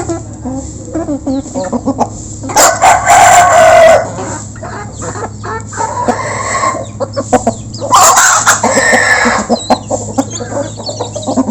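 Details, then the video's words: Local chickens crowding in to eat, recorded close up: scattered clucks punctuated by two loud, harsh drawn-out squawks lasting about a second each, with a constant low hum underneath. "Local Chicken Backsound While Eating | Efek Suara Gerombolan Ayam Saat Dikasih Makan"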